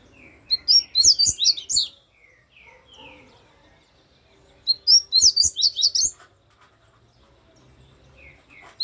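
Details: Double-collared seedeater song: two loud phrases of rapid, high, sharp chirps, each lasting about a second and a half and spaced roughly four seconds apart, with softer descending whistled notes in between.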